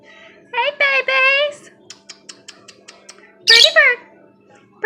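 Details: Pet pair of lovebirds, which have laid two eggs so far, indoors while a woman talks to them. High nasal, talk-like vocalisations are followed by a string of short sharp chirps and then a loud, harsh squawk.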